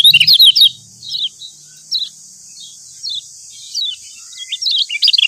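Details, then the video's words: Lombok yellow white-eye, used as a training recording for other birds, gives high, thin chirping twitters in short bursts every second or so, over a steady high hiss. "Masteran Kecial Kuning Pembangkit Selera"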